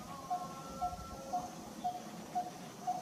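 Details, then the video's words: A Coppersmith barbet perched on a very small tree in Kanha National Park, India, in February 2023, gives a steady run of hollow, mid-pitched tuk notes, about two each second, over a faint humming drone. "Bird's Call"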